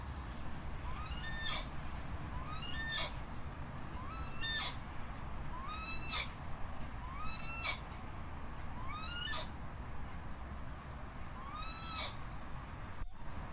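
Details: Crested guan giving loud, arched, slightly rising then falling tonal yelps, each joined by a sharp broadband crack, repeated about every one and a half seconds over steady low background rumble.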